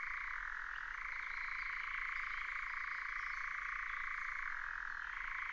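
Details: Sustained rapid churr of a nightjar, recorded in 2019: a rattling, engine-like trill shifts up in pitch after the first second, stays level, and briefly drops near the end before climbing again.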